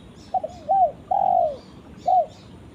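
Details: A spotted dove calls to its companion: a clipped stuttering note and a slurred coo, then a long downward-sliding coo, followed by a single short coo that starts the next phrase.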